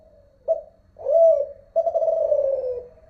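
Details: Kelantan-style terkukur song, Malaysian spotted dove: a soft lead-in, a clipped note, a looping croo and a long slowly falling resonant coo, close and clean.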